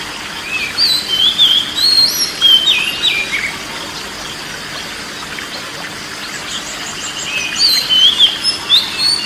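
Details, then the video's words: Kacer, or oriental magpie-robin, singing in a relaxation recording meant for stressed birds or birds reluctant to sing: lively sweeping whistled phrases with rising and falling notes in two bursts, a calmer gap between them, over a constant hiss. "TERAPI BURUNG KACER SETRES DAN MALES BUNYI"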